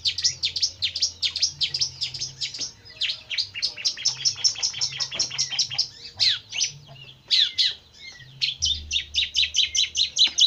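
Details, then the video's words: Jentet bird in a long, fast stream of high chirping and twittering notes with brief pauses, over a faint low hum. "Kicau mania burung Jentet bersuara.."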